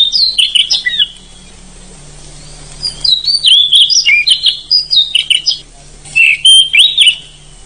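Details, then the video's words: Black-and-white Oriental magpie-robin, a forest kacer noted for a loud voice and long roll, sings varied sweeping whistles in repeated quick bursts, several phrases strung together with brief pauses and a steady hum below. "MASTERAN KACER GACOR KERAS"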